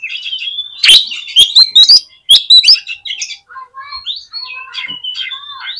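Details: Oriental magpie-robin sings to excite other magpie-robins, opening with loud sharp chattering bursts over whistles, then a softer run of short rising and falling whistled notes.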